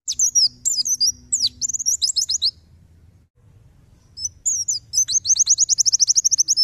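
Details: White-eye tutor song for songbirds: varied high whistles and trills for two and a half seconds, silence, then a quickening run of evenly spaced sharp chips forming a steady rattle.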